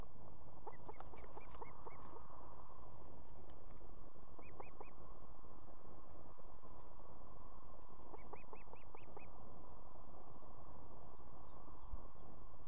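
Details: Female osprey at an evening nest in Estonia with two chicks, calling the male to bring food; short whistled, slightly arched notes come in quick bursts of three to six, separated by pauses, over a heavy steady low rumble of wind or noise.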